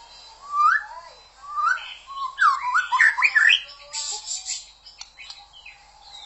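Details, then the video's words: White-rumped shama singing rich, varied whistled phrases that rise and fall, mixed with quick twittering runs and a brief harsh buzzy burst near the end, used to provoke other shamas into song. "Murai Batu LANGSUNG GACOR dan NGEPLONG"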